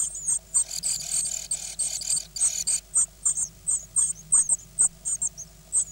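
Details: Great tit nestlings, nine in the brood, eight days old (hatched 16 May, recorded 24 May 2010), beg in a frantic chorus of very high, thin chirps, then settle into short squeaky notes about three per second over a faint low hum.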